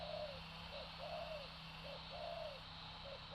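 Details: Soft, falling coos of a spotted dove alternating with brief short notes, repeated several times under a steady broad hiss of background noise.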